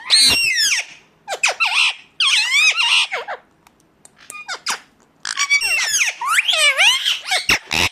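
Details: Indian ringneck parakeet, a talking pet bird, producing loud, varied harsh squawks and chattering screeches in irregular bursts with short silent gaps.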